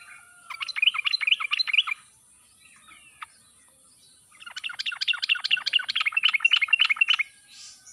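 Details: Sooty-headed bulbul song used as a lure to prompt silent birds to sing: two bursts of rapid, bubbly chirping notes, a short phrase then a longer one after a pause.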